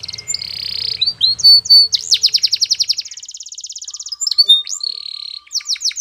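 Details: Spanish Timbrado canary song used for training, a continuous high sequence of sustained rolling notes, fast even trills and sweeping chirps changing every second or so, with faint low hum early on.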